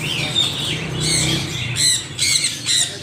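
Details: Parrots squawking loudly: harsh, raspy squawks in quick succession, some rising and falling, with a low rumbling background.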